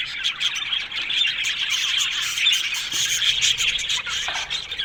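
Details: Colony of Australian budgerigars in an aviary: busy overlapping chirps and squeaky squawks from many birds, the chatter rising and easing in waves.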